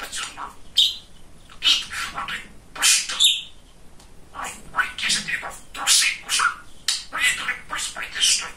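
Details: Male pet budgerigar, a funny and very talkative bird, babbling speech-like phrases with warbled chatter and shrill chirps, pausing briefly midway.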